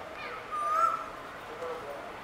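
A single clear, slightly rising whistled note from a male Asian koel, lasting under half a second, over faint background hiss.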